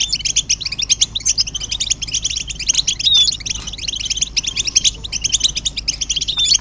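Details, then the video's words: Mating and readiness twitters from several European goldfinches, aimed at breaking a male's silence. Quick, sharp high chirps and short sliding whistles overlap in steady bursts throughout. "بتبتة الحسون تحفيز الحسون على التغريد والهيجان علاج صمت الحسون goldfinch stimulation"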